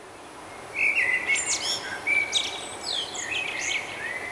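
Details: Nightingale singing its morning song in May in Budapest, Hungary, captured on a Canon Powershot SD1000: varied whistled and rapid chirping phrases in short bursts, some rising, some sliding down, over steady faint background hiss.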